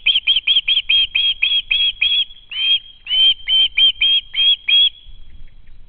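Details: Young osprey screaming at its home nest, hoping a parent will feed it, recorded by a live nest camera in August 2013; a steady string of loud, shrill, clipped whistles, evenly spaced, briefly breaking off midway before continuing.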